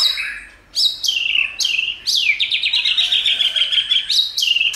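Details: White-rumped shama song for stimulating other shamas and training them to sing: loud whistled phrases opening with high downslurred notes, then a fast, even rattling trill held at one pitch, and a final high whistle.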